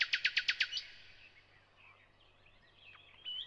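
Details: Thrush nightingale singing: a burst of six rapid, loud clicking notes, then a quiet, trailing run of soft warbled and whistled phrases.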